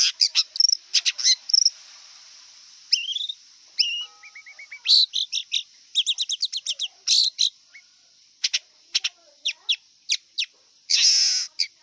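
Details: Wild long-tailed shrike singing a varied, rapid song of harsh buzzy bursts, short chirps, a few rising whistled notes and a brief run of soft clicks, with pauses between phrases and a steady high hiss throughout.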